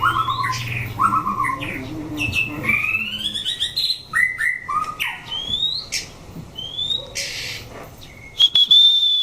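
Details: White-rumped shama being tested for singing competition among other shamas, singing a rich run of clear whistles, rising sweeps and chattering notes; other birds sing in the background and a man speaks.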